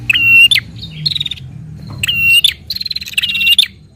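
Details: [5, 'Prinia (prenjak) singing energetically in fighting style to rouse a captive prinia: clicking stacked notes run into drawn-out buzzy rattles, two main bursts with soft low hum beneath.']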